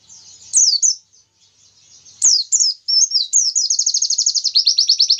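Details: High-pitched Oriental white-eye song, a long-shot 'tembakan panjang' phrase said to make rivals agitated: scattered descending chirps build into a long, accelerating, rapidly repeated trill.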